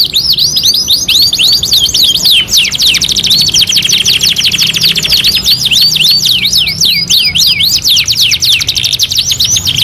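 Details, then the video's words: Two-in-one canary master recording: bursts of looping, whistled notes alternate with fine, rapid rolling trills, sung continuously and brightly throughout. "MASTERAN KENARI 2 IN 1 | CANARY SINGING"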